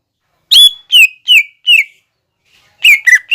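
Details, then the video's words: Training song of a lesser green leafbird imitating other birds: four separate clear whistled notes sliding downward, spaced under half a second apart, then a pause and a quick run of three sharper whistles. "MASTERAN CUCAK IJO GACOR BONGKAR ISIAN GEREJA TARUNG,LOVEBIRD,KOLIBRI"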